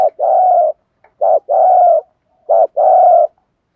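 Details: Spotted dove used as a decoy to lure wild birds, cooing in the 'thúc gù' style: three paired phrases of a brief low note then a drawn-out, throaty coo, evenly spaced.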